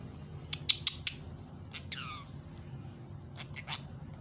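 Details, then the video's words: Pet budgerigars in a happy mood, talking and whistling: a quick burst of sharp clicking chirps, then a short whistle sliding downward, followed by scattered scratchy chirps in a small room. "Buggies talking and wistling in happy mood."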